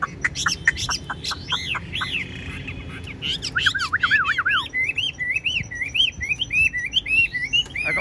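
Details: Captive Chinese hwamei, a fan-tailed bird described as 95% tame, singing nonstop. It gives loud, varied whistled phrases: fast sweeping notes, then a run of quick looping up-and-down whistles.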